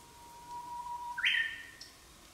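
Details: A Japanese bush warbler in the countryside in spring sings its breeding-season phrase: a long, steady low whistle swelling for over a second, then a sudden bright, higher flourish that slurs down and fades.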